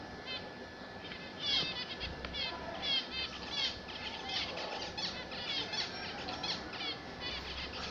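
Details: A group of zebra finches kept at home sings continuously: dense overlapping trumpet-like beeps and chattering, buzzy notes, repeated rapidly from start to finish.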